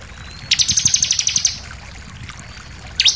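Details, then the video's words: Bar-winged prinia lure song for making other birds sing: a one-second run of about a dozen fast, high repeated notes, then a single sharp downslurred note. "pancingan ciblek bahan langsung emosi nembak"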